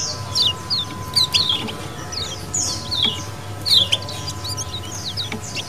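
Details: Lemon-bellied white-eye colony calls for luring birds: groups of high, sharp, downward-sliding chirps every second or so over steady low humming noise.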